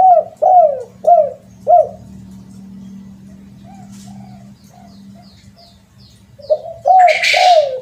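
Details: Spotted dove lure call: four short, low, slurred coos in quick succession, then a stretch of low hum with faint soft notes, then three more coos ending under a burst of hissing noise.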